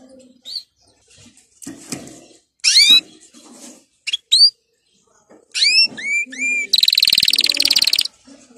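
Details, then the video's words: Canary song for training, heard as scattered phrases: short rising whistles in groups of two to four, then a fast buzzy trill near the end, with quiet pauses and faint low background sounds between. "Canary 's most powerful song for training"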